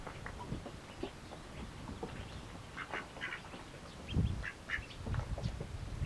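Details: Mallard ducklings feeding eagerly, giving short high peeps scattered irregularly through the clip, some in quick pairs, over soft low rustling and splashing.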